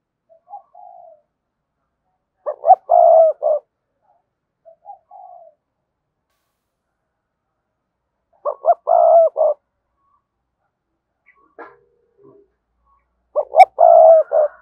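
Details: Cooing of a 'cườm sa' spotted dove, meant to stir doves into cooing fast: three mellow four-note phrases roughly every five seconds, each with a long burred middle coo, softer low notes and a brief click between them.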